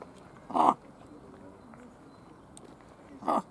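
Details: Common raven named Rufus at Schönbrunn Zoo, February 2020: two harsh, hoarse croaks about three seconds apart against a quiet background.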